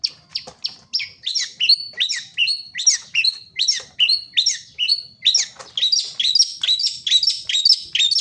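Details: Wild songbird singing in lively, nonstop bursts: rapid chirped and trilled notes, fast buzzy phrases tumbling one after another about twice a second, high-pitched throughout, with faint low rumble in the background.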